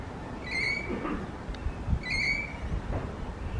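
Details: Two shrill, slightly rising notes from a rainbow lorikeet about one and a half seconds apart, with low rumbling noise and faint knocks underneath.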